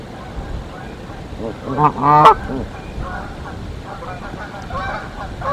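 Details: Canada geese defending their Decorah nest against an intruder goose, 1 April 2024: a burst of rapid, overlapping harsh honks builds to a loud peak, followed by softer, scattered honking and low hum.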